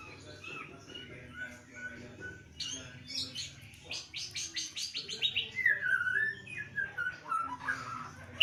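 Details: White-rumped shama kept during lockdown pours out a rapid series of sharp repeated chipping notes, then a bright sweeping whistle near the middle and further quick chirps, over a steady low hum.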